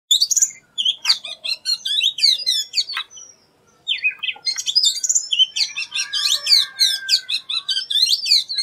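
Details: Oriental magpie-robin (Bengali name doyel) singing an unusual song: a dense, rapid stream of high chirps, trills and sharp whistled notes with a short pause near three seconds, then continuous varied phrases.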